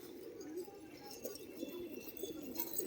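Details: Pigeons kept in Maharashtra, India, cooing in low, wavering, gurgling phrases that rise and fall over the whole stretch, with some light rustling and brief high clicks near the end.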